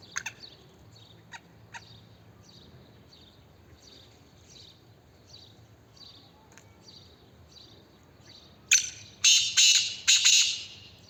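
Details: Black francolin (Francolinus francolinus) call: three loud, harsh, grating bursts in quick succession near the end, after several seconds of faint, scattered high chirps.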